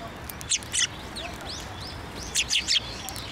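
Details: At a Tenmangu shrine on 15 December 2023, sparrows approach to get food, giving two clusters of sharp, high chirps, three or four notes each, over softer distant twittering and a low background rumble.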